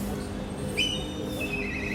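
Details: A black kite gives its shrill, scream-like call, often heard ringing through the air and louder when in danger or fighting other kites: a high, thin, sharply rising whistle trailing into a long quavering whinny, over soft background music.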